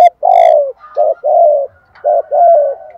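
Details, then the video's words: Spotted dove delivering a close, loud coo phrase in the thúc gù or gáy gọi style: one long hoarse coo, then short and long coos in pairs, each falling slightly in pitch. "chim cu gáy Thúc Gù = Gáy Gọi bài vở"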